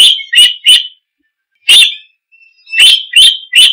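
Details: Oriental magpie-robin giving loud, sharp whistled chirps in groups of two to three, separated by short silences.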